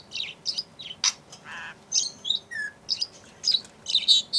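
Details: A happy budgerigar chatters in quick, scratchy chirps and squeaks, with a brief whistled note between bursts.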